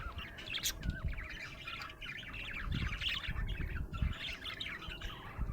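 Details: Happy budgie warbling: a continuous, busy stream of high chirps, twitters and wavering squeaks with barely a pause, over soft low background noise.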